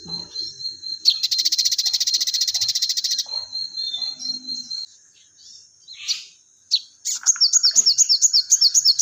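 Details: Crested jay, locally sogon, delivering combative fighting-sparrow material: a loud buzzy rattle of about two seconds, a few quiet notes, then a run of repeated downslurred chips.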